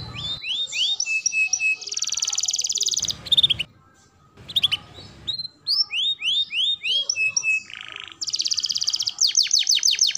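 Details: Varied canary song used to train young canaries and stimulate them to sing. It mixes descending whistles, dense buzzy trills and rapid chattering phrases, with brief pauses between bursts.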